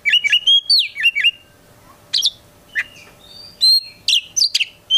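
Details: Kacer, the Oriental magpie-robin, a kept bird singing a varied medley: fluty downslurred whistles, sharp high chips and short rising notes, delivered in scattered bursts with pauses; faint steady hum underneath.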